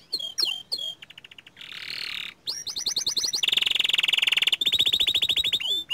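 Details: Young small-standard canary in full, vigorous song: sharp down-slurred notes, then a buzzy rattle, a long fast trill of rapid repeated notes, and a final run of quick clicking pulses.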